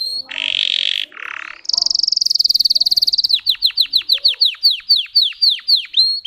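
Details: Russian canary bred for singing, performing varied song tours: short buzzy notes, a long steady high trill, then a quick series of sharply falling whistled notes about five per second.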